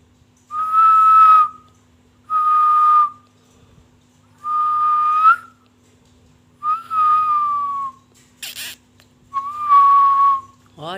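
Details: Pet Indian ringneck parakeet, a talking parrot, said to be in a bad mood: six steady whistled notes, each under a second long, repeating about every two seconds, with a single sharp click near the end.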